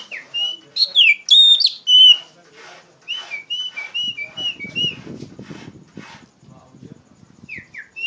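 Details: Oriental magpie-robin singing loud ngeplong song as a tutoring lure for untrained poci birds: a fast warbled burst, then a series of short repeated whistles, fading under a low rumbling noise.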